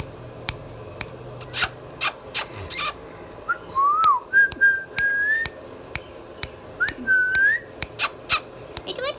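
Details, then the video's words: Pet Indian ringneck parakeet indoors giving clear rising and level whistles in the middle of the recording, with scattered sharp clicks and taps throughout. "Mithu Mithu Bolne Wala Tota | Indian Ringneck Parrot natural Sounds"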